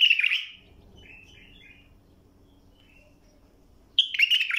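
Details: Bulbul singing, played to teach young birds their song. A loud whistled phrase opens, soft distant notes and a low hum follow, then another bright phrase starts at the end.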